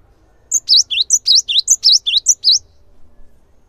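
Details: Gelatik batu, the cinereous tit, in full busy song meant to trigger other birds' singing: a fast string of piercing, high whistled notes that swoop down and back up, around ten in two seconds, over a quiet background.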